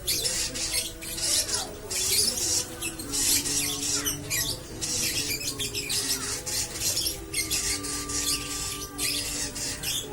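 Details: Long ngekek chattering from a lovebird, koslet style: strident high-pitched buzzy trills pouring out for ten seconds with short gaps, a faint steady tone and low hum behind.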